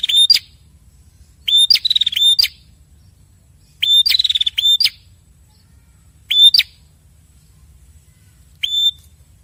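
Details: Answering calls of a male and female red-headed prinia: five short bursts over several seconds, each a steady whistled tone, with sharp clicks and sometimes a brief rattling trill, separated by long quiet gaps.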